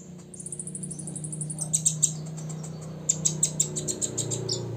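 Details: Olive-backed sunbird, six years old, singing hard to provoke rivals: a faint, very high thin trill, then spaced bright chips in two short bursts over a loud low hum.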